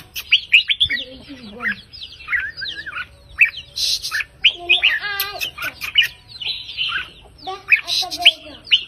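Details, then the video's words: Red-whiskered bulbul in counting-phrase song style with 3-4-5 note phrases: warbled whistled notes mixed with harsher squawky, buzzy bursts, possibly from more than one bird, with lower rough notes in places. "นกกรงหัวจุกสายนับดอกเพลง 3-4-5 ยั้วนกฟังนกคึก"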